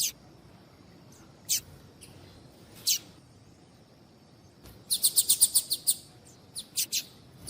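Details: Female Double-collared seedeater calling to stimulate males to sing. A few isolated sharp, high chirps spaced over several seconds lead into a rapid run of about eight chirps, then a few more quick notes. Background is quiet.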